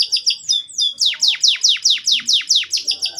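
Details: Brief canary song meant to draw young canaries into singing. After a few high chirps comes a steady series of about eleven loud, sharply falling whistled notes, repeated roughly four times a second.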